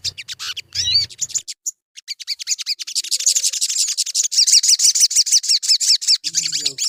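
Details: Crimson sunbird song played as a lure to prompt singing: quick high chips that accelerate into an unbroken stream of sharp, slurred twitters, about three notes a second, with a soft low thud at the start.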